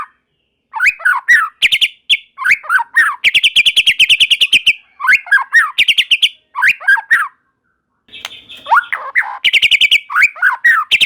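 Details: White-rumped shama song, said to set other shamas singing: tumbling whistled phrases alternate with long rapid chattering trills, a pause, then a smoother wavering phrase and more trills.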